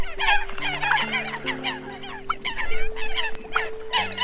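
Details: Eurasian coots recorded as a lure sound, October 2020, give a dense chorus of loud, nasal, honking calls that overlap without pause, over a steady low humming drone.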